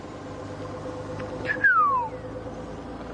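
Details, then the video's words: A magpie shrike calls on an early-morning safari drive after overnight rain, amid much birdsong: one clear whistle sliding smoothly downward over half a second, over a steady low engine hum. "Magpie shrikes calling."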